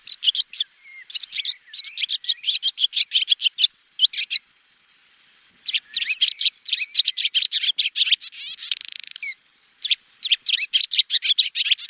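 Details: Long twittering swallow song: bursts of sharp high chirps in dense clusters, a silent gap, then more chatter and a short harsh buzzy rattle before the twitters resume.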